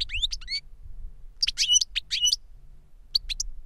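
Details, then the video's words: European goldfinch singing in captivity, a tutor bird or its CD-trained youngster, delivering rising whistled slurs and clusters of bright twittering notes, then a short final flourish, with low hum beneath. "Jilguero maestro cantando reclamo y enseñando a otro jilguero novel"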